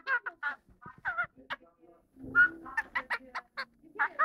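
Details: A playful pet kakariki chirps while biting, chattering in quick bursts of nasal, chirpy notes, several a second with brief pauses, over faint low rustling.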